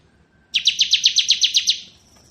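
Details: Bar-winged prinia (ciblek kristal) ngebren song: a single sharp burst of about ten quick, high, evenly spaced chipping notes fading into a thin whine.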